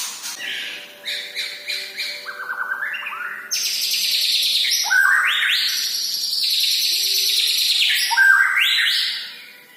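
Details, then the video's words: White-rumped shama, a Medan murai batu, in full energetic song: a rich, varied run of loud ringing whistles and rapid rising and falling notes, sliding between low and very high pitches, with a faint steady low hum behind. "Burung murai batu medan gacoran"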